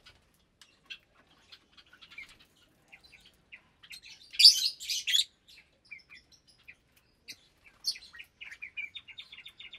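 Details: Around 25 caged lovebirds of parblue, euwing, opaline, lutino and albino colour types feeding together in January 2023. Sparse thin high chirps build to a loud, rasping squabble midway, then quick ticking chirps follow.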